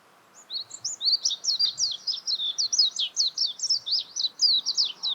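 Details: A warbling white-eye delivers a fast, continuous high-pitched warble, a rapid string of sharp chirped notes tumbling up and down for about five seconds, clear against a quiet background.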